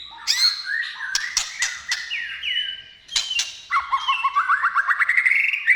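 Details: White-rumped shama singing, used as a lure to make shamas sing: clear whistled slurs and sharp clicks, a short pause, then a rapid rising series of repeated notes accelerating toward the end.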